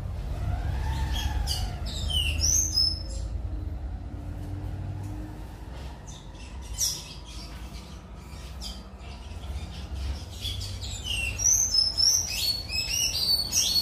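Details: Tanager singing at Pontal Verde: bursts of high, thin chirps and quick twittering notes, clustered at the start and again near the end, over a steady low rumble of background noise.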